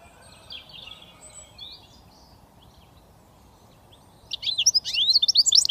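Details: Goldfinch mule, a British finch hybrid, with faint soft warbling first, then a loud switty burst of quick, high, zigzagging twitters in the final second and a half.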